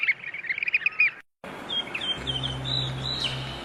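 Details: Wild bird in its natural setting giving quick high chirping notes for about a second, then a cut to thin whistled notes over steady background noise with a low hum.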